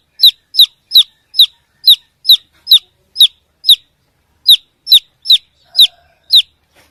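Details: Baby chicken chirping while looking for the mother hen, a long series of loud, high, downward-sliding peeps, nine notes, a one-second pause, then six more.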